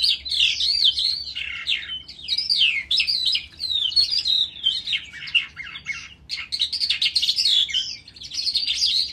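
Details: Sustained skylark song from a ravine: a long, breathless outpouring of high chirps, trills and warbled phrases, with only one short pause, against a faint low background hum.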